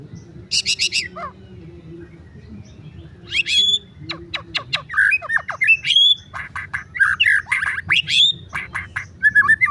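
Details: White-rumped shama in full song, a rapid mix of harsh squawky bursts, sharp clicks and ringing whistled notes delivered in irregular bursts over steady low background hum.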